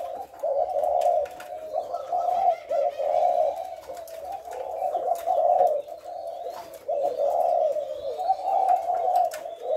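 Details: Spotted dove cooing repeatedly, each low, hollow phrase lasting about a second with short gaps, a steady rhythm over faint background clicks and noise.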